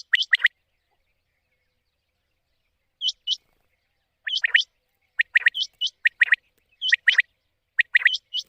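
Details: Quail lure call for night hunting in the monsoon season: sharp rising chirped notes in tight clusters of two to four, separated by short pauses, growing busier after a silent stretch in the opening seconds.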